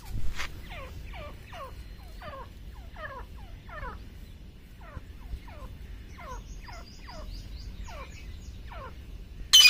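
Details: Grey francolin in jungle giving a fast run of loud, harsh, sliding notes, about two per second, with high thin notes from another bird near the end.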